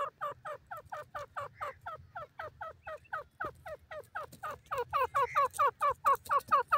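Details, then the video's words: Captive grey francolin producing a long, even series of soft, quick clucking notes, about two per second, growing louder toward the end over a faint low hum. "dakhni teetar pinjray pr boli karta ha, irani teetar awaz"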